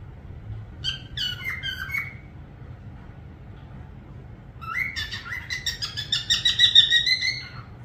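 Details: Parrot whistling: a brief chirpy phrase, a quiet pause, then a long rapid trill of harmonic notes that grows louder before stopping.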